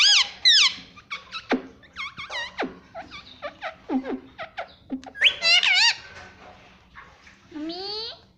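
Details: Pet parrot that talks, saying mummy; a rapid string of shrill squeaks and bent whistled syllables, some short and clipped, ending in a long wavering whistle over a low background hum.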